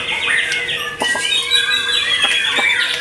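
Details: White-rumped shama after moult delivering loud whistled phrases, long sliding notes interrupted by short sharp clicks, bright and varied, continuing over a faint low hum.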